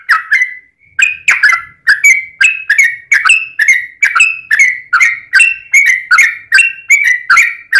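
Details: Yellow-vented bulbul in long rapid 'ropel' song, used as a lure to prompt other bulbuls to sing: clipped whistled phrases near two kilohertz, each opening with a sharp click, repeated about twice a second without pause.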